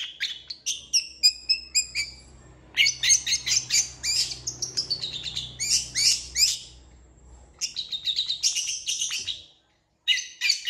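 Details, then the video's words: Long-tailed shrike singing a fast, full song of repeated sharp chirps and buzzy rasping phrases, dense runs broken by short silences, around four notes a second; faint low background hum. "CENDET GACOR FULL ISIAN CEPAT DI RESPON PENTET LAIN"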